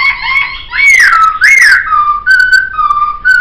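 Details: Loud, close laughingthrush song kept as a training recording: full, ringing whistles that swoop up and slide down, broken by short gaps, ending in level clear notes.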